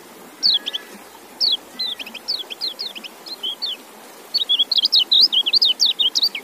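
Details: Kecial, or white-eye, a kept bird fed apple: lively high twittering of rapid, slurred downward notes, building into a dense, fast chattering stream in the second half, over faint hiss.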